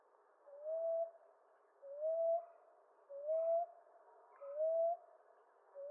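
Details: Common ground dove cooing: five short, smooth notes, each sliding slightly upward, evenly paced a little over a second apart. A few faint higher chips sound in the background.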